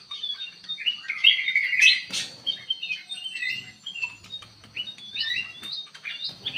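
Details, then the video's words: Aviary-kept kutilang emas bulbul singing actively as a lure bird: whistled slurred phrases and chirps over a noisy background with clicks and low rumbling. "KUTILANG EMAS GACOR DIDALAM AVIARY"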